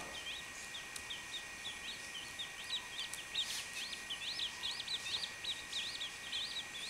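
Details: Chachalaca chick making a stream of high, sharp peeps, a few spaced notes that build into dense, quick, slurred bursts, with a steady background hum and a faint rustle.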